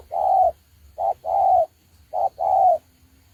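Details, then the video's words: Spotted dove kept as a trapping decoy gives low, smooth coos: a long note, then two short-long pairs in quick succession. "Bẫy chim cu gáy"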